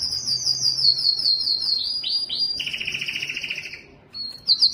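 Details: Yellow canary singing a high wavering trill, a few swooping slurred notes, then a lower buzzy roll that fades before a short bright burst of notes.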